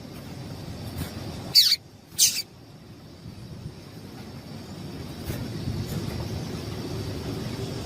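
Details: A female double-collared seedeater gives two short, sharp, high chirps about half a second apart over a low, steady background hum. Breeders use this call to stir up males for singing tournaments.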